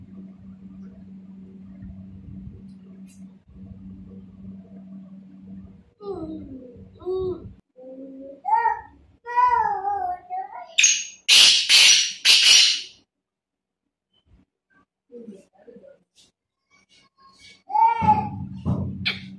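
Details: A black francolin gives loud, harsh, grating notes in a short burst after a low steady hum; the call is used to attract other francolins.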